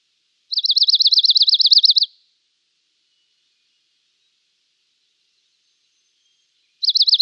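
A Dark-eyed junco gives a fast, dry, even trill of about fifteen high notes lasting a second and a half. After a long silence, another trill starts.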